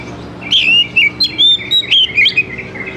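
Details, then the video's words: Oriental magpie-robin (kacer) song used as a basic lure to get young wild-caught fledglings singing quickly: a rapid run of clear, sweet whistled notes with short slurred and rising phrases, steady background hum. "SUARA PANCINGAN DASAR UNTUK KACER BAKALAN MUDA HUTAN TROTOLAN AGAR CEPAT BUNYI"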